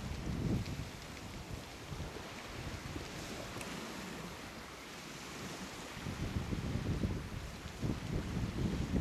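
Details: Shoreline at Tararu, Coromandel, New Zealand: low wind rumble and breaking waves that rise and fall, heavier near the start and end, with no bird calls standing out.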